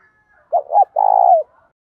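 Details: One full coo phrase from a spotted dove, played to stimulate wild-caught doves: two short rounded hoots, then a sustained throaty rolling coo that slides down at its end.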